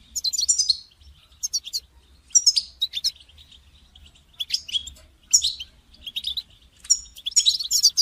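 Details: European goldfinch calling, played to encourage a caged goldfinch to sing; short bursts of high, tinkling twitters and buzzy notes come in spaced clusters about every second, with brief quiet gaps between phrases.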